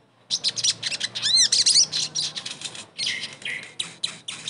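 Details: Sogon, the crimson sunbird, singing a lure track meant to restart a silent bird: continuous, very high, shrill chattering with quick rising and falling sweeps and rapid ticking notes.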